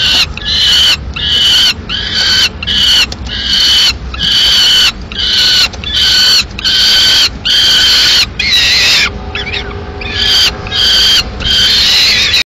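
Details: Peregrine falcon pair at their nest in Madrid, 15 May 2016, during delivery of a live swift by the male, which the female kills. A long run of rasping, insistent calls pulses rapidly, with some fainter tonal sounds late on.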